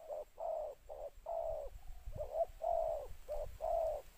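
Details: Spotted dove decoy cooing to draw in wild birds, two-note calling style: a run of hollow, rounded coos, some clipped and some stretched, with a brief pause midway and light low-pitched knocks.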